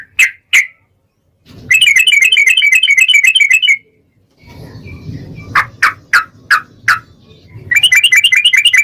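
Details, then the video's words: Yellow-vented bulbul in full song with long rapid chatter, played as a lure for other bulbuls: two sharp notes, a fast buzzy trill lasting about two seconds, low rumbling background, spaced bright notes, then more trilling. "KICAU SUARA trucukan gacor ROPEL panjang pancingan trucukan agar bunyi FULL GACOR"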